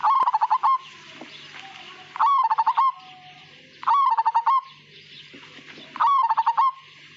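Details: Zebra dove of the Majapahit type, whose song is described as melodious without a long "kung" ending, giving four short phrases of rapid pulsed coos about every two seconds over a faint steady hum.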